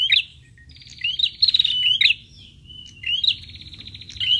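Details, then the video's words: Bright chirped prinia lure notes with quick upward-sweeping whistles and longer rattling buzzy trills, repeated several times. Quiet low background hum. "PRENJAK LANGSUNG NYAUT DENGAR SUARA PIKAT INI"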